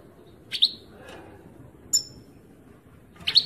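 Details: European goldfinch song from 2018, heard as sparse high chirps: a double chirp, a faint note, then a thin whistled tick and a final bright burst, with hushed gaps between.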